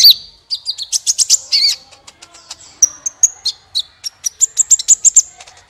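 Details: Energetic sunbird song used as a lure for other songbirds: a continuous stream of high, rapid chips, trills and thin whistled notes, varied and busy throughout.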